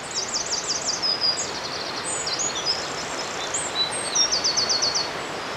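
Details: Male Eurasian wren (Troglodytes troglodytes), the loudest bird in the woodland at Dare Valley Country Park, Wales, singing to attract a mate: a loud, high, rapid song of sharp trills and chattering bursts over soft woodland rustle.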